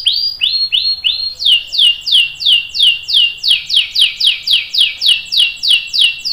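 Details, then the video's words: Long-rolling canary song meant for training young and adult birds: a few level whistled notes, then a steady run of clear downslurred notes repeated about three times a second. "KENARI GACOR NGEROL PANJANG bagus buat pancingan dan masteran kenari paud dan dewasa"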